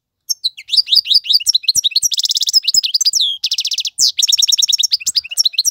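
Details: Adult male European goldfinch song played for teaching fledglings, a continuous high twittering stream with quick liquid notes, two dense buzzy trills in the middle and a downward-sweeping note before more rapid chirping.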